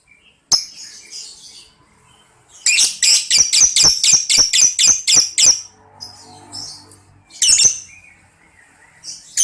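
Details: Lovebird ngekek song for prompting young lovebirds: a sharp note, then a fast steady run of about a dozen raspy, high buzzy notes, followed by scattered single shrieks.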